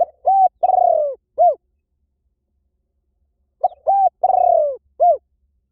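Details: Spotted dove song used as a decoy to call birds in fast: two identical mellow phrases about three and a half seconds apart, each a brief note, a round coo, a drawn-out vibrating croo and a closing coo. Background is quiet.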